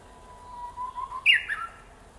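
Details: A Japanese bush warbler sings a long, low whistle that slowly rises, then snaps into a quick, bright two-part flourish, the classic 'hoo-hokekyo'; otherwise quiet.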